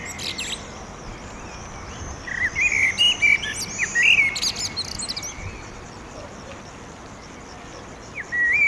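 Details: Male Turdus merula at sunset in urban Oradea, singing to establish territory: a short burst of fluted whistles and twitters midway, long quiet gap, then a new whistled phrase starting at the end.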